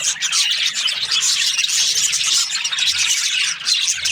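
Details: Budgerigars chirping together in the morning. Bright, scratchy twittering runs without a break, punctuated by faint whistled squeaks.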